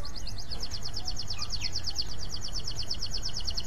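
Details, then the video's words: Canary trilling to draw other canaries into song: a continuous, evenly pulsed high trill of rapid repeated notes, set against strong low-pitched background noise. "KENARI GACOR PANJANG ! Ampuh untuk memancing kenari lain bunyi"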